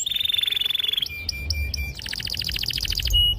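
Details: Canary with a clear, sharp, long-rolling song used to prompt young canaries: a rapid rolling trill, steady whistled tones, then a pulsed roll of repeated notes and a short sustained whistle.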